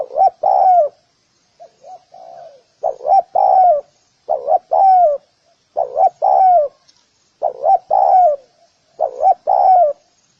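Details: Spotted dove cooing to draw in other doves, repeating a phrase of two quick hooked notes and a drawn-out falling coo about every one and a half seconds, with a softer lower coo between phrases.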